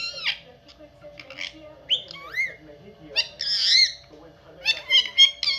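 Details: Pet parrot making a quick mix of squawks, upward-sweeping whistles and buzzy chatter, several notes each second, with a constant low hum in the room.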